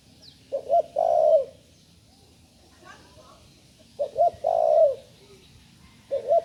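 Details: Young spotted dove, only recently able to call, gives two low phrases, each with two short coos and then a long descending coo. A third phrase begins at the end, and a faint murmur is heard in the quiet gap.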